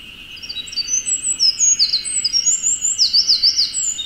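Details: Eurasian wren singing from the top of a dead tree in Okuchichibu, Japan: rapid, very high tumbling song of thin whistles and fast trills, with sharp repeated zigzag notes, over a steady high hum.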